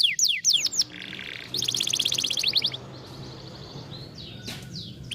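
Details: Canary song aimed at getting a lazy canary to sing: a few falling whistled sweeps, then a quick high trill and faint buzzy notes fading into quiet background hiss.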